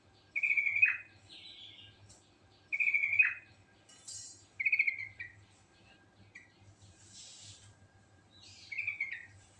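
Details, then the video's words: Natural sooty-headed bulbul song in the ngerol style, packed with varied phrases: loud rich warbled notes that drop at the end, repeated several times, with higher chirps and a soft rushing sound between. "Suara Burung Trucuk Alami Ngerol Gacor Full Isian"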